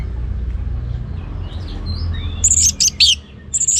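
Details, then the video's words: Orange-headed thrush, a kept bird in northern Bali, singing in full voice: a few soft thin whistles, then a burst of loud, high, sharp notes and trills near the end over a low hum. "Anis Merah Ngeplong Gacor"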